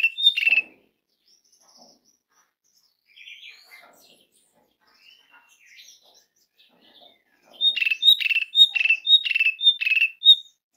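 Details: Asian pied starling call, used as a lure to get other birds singing: a loud harsh burst at the start, scattered soft squeaky notes, then a run of about seven sharp, quick-repeated chattering notes near the end.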